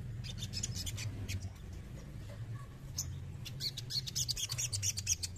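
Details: Male crested jay: a short burst of clicking rattle, a quieter gap, then a denser, louder chattering rattle to the end, over a continuous low hum.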